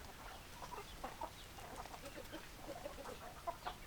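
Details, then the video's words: Flock of chickens, hens clucking: soft, short, irregular clucks and brief mid-pitched notes from several birds, quiet against a steady background hiss. "Chicken Sounds Noises Hens Clucking Roosters Crowing"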